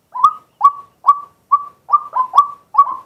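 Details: Male white-breasted waterhen calling in daytime as a decoy, recorded live: eight short rising kwak notes, steady at first, then doubled and overlapping toward the end.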